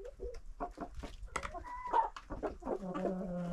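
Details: About 25 domestic chickens and roosters in a village yard coop, fed by a woman: rapid overlapping short clucks, one drawn-out tonal squawk midway, then a steady low droning note near the end.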